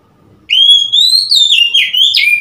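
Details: Oriental magpie-robin on 3 March 2021: one continuous, loud phrase of clear whistles, rising gradually, then stepping through wavering slurred notes and finishing with a sharp upward note.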